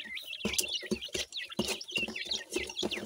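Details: Partridge chicks feeding, known as teetar: thin high peeps close together while loud, regular pecking knocks sound about three times a second.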